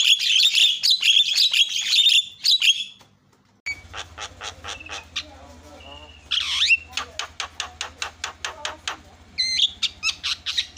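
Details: Javan myna lure, played to make other mynas call: raspy chatter up front, then a brief gap, then a steady string of sharp clicking notes with a sweeping whistle and more harsh bursts.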